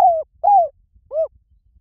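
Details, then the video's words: Spotted dove calling, used as a lure for wild doves: three mellow coo notes, the first two longer and gently falling, the last shorter and arched, separated by brief pauses in near silence. "เสียงนกเขาใหญ่ หมานๆ ต่อเข้าเร็ว ป่าไหนก็เข้า"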